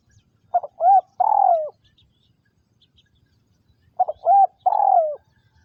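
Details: Decoy spotted dove in Vietnam, 2022, used to lure wild doves: two identical three-part coos about three seconds apart, each a short note, a rising-falling note and a drawn-out descending purr.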